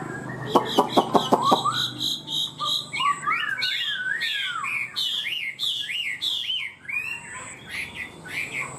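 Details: Caged Chinese hwamei, known for high, intricate singing, follows a burst of sharp clicking taps with a lively sequence of loud, zigzagging whistled phrases, repeated and varied, over a faint steady background hum.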